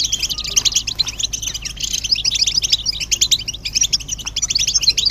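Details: European goldfinch chorus of excited twittering, said to push males to sing: bursts of rapid, sharp, metallic chirps crowd together, pulsing slightly in loudness, against a quiet steady low hum.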